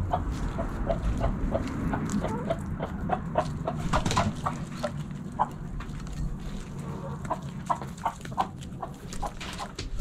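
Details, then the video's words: Hens in a backyard coop, a run of short clucks repeated about three times a second, irregular, over a low rumbling background. "Backyard Chickens In The Coop Relaxing Video Sounds Noises Hens Clucking Roosters Crowing!"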